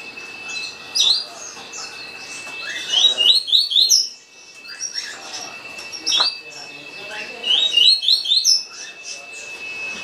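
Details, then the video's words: Green-winged saltator delivering a fast tuí tuí song: clusters of rapid, high, rising whistles in two main bursts separated by softer notes, over a faint steady tone. "Trinca rápido cantando tuí tuí"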